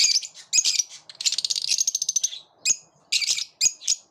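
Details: Harsh, high squawks from lovebirds in a flock repelling one another, with a fast rattling chatter in the middle, then separate grating shrieks.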